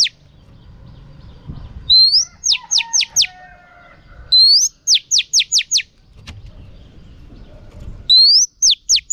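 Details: Female oriental magpie-robin singing to stimulate a male: recurring phrases of a rising slur and five falling whistled strokes, with softer level tones in the gaps and low background rumble.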